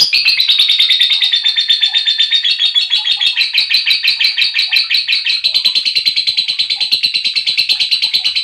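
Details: Lovebird chirping, a lure recording for riling up male, female and young lovebirds: a dense, unbroken stream of rapid, high, sharp chirps, about three per second, with overlapping chattering notes throughout.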